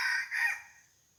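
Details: Red junglefowl decoy crowing to draw wild junglefowl back to the previous day's spot; the tail of a crow, a harsh strained phrase that rises slightly, then fades away into near silence.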